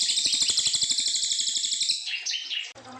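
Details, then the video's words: Long brown fulvetta song used as a training recording for young white-rumped shamas: a fast high buzzy trill, then a few sharp whistled notes near the end. "Cililin gacor panjang"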